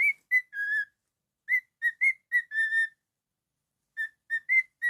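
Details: Pet cockatiel whistles a melody in bursts of clean, bright notes: a few short notes and a longer held note, then a pause, another group, a second pause and a final run of quick chirpy whistles.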